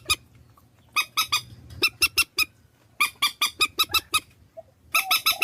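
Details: Swamphen lure recording from Vietnam: bursts of loud, rasping honks in quick clusters of three to six notes, separated by short pauses, with a faint steady low hum beneath.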